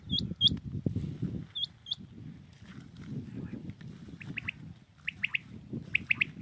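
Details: Common quail singing early in the morning in Pakistan: after a few thin hooked whistles, three evenly spaced triplet phrases ring out over a low rumbling background.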